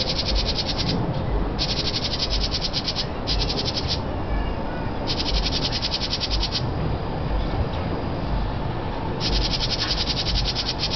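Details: House wren feeding nestlings at a nest box in northern Kentucky gives harsh, rapid rattling alarm chatters at a person about five feet away: one-to-two-second bursts separated by short pauses, over heavy low rumbling noise.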